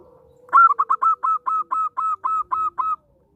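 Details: Song of a local zebra dove meant to draw other zebra doves into song and for trapping: quick opening stutters, then about ten measured, even cooing notes against a faint steady drone that fades away.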